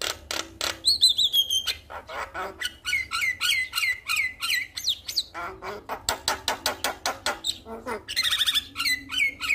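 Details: Male Javan myna calling out to a female: nonstop harsh squawks and grating notes in quick rhythm, interspersed with short rising whistles and a buzzy flourish late on.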